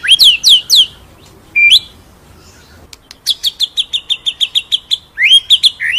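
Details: Ngerol nembak singing by a white-rumped shama (murai batu): loud downslurred whistles, a pause, then a rapid series of about a dozen high, clipped notes, ending with swooping whistles.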